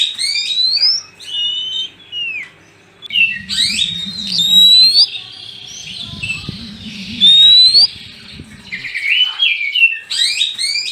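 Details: Oriental magpie-robin pair, male and female, in lively lure song: quick chirpy phrases and downward sweeps, then clear rising whistles near four and seven seconds and a buzzy trill, with low rumbling murmur between three and nine seconds.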